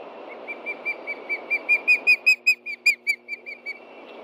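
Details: Adult osprey calling in alarm over a threat on the ground near its nest, Hellgate Osprey Project, Montana, midday 30 June 2013; a long, loud series of around seventeen piercing whistled chirps, rising in strength, then fading.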